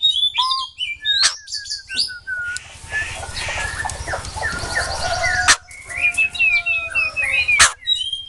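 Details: White-crested laughingthrush song of clear slurred whistles and trills with sharp clicks, partly masked midway by a broad hissing wash, with a steady low hum throughout.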